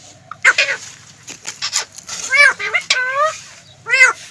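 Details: Green ring-necked parakeet talking, producing a string of speech-like phrases with nasal, buzzy vowel sounds in short bursts, a clear pause, then one final word-like phrase.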